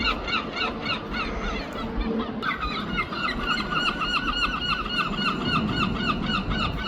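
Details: Seagulls in London with a steady series of rapid, harmonic yelping calls, briefly broken near the middle by a louder squeal, over low background rumble.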